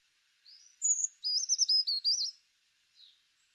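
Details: Brown Creeper song, as heard in spring: a very high, thin, feeble, quiet whistled phrase, one wavering introductory note then a quick tumbling jumble of notes, all within about two seconds.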